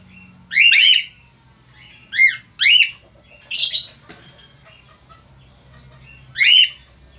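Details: A male Australian finch calls actively with a series of loud, buzzy, arched squawks, some doubled. Quieter chirps fill the gaps, and a faint low hum sits underneath.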